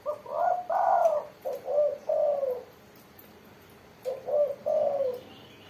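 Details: Spotted dove song: soft low coos delivered in a quick cluster of phrases, a pause, then another short series of falling coos.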